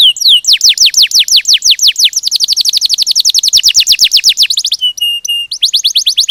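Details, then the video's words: Canary singing series of falling sweeps that speed into a rapid rolling trill, a short flat whistled phrase, then more trilling. "Kenari Ngerol Gacor - Banyak burung kenari cepat gacor dengan suara kenari ini || CHIRPING SOUND ||"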